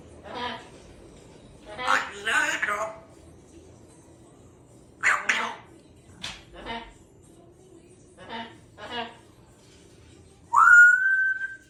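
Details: Captive African grey parrot, chatty in the morning, producing speech-like phrases in bursts, then a clear rising whistle held at the end; indoors in a small room.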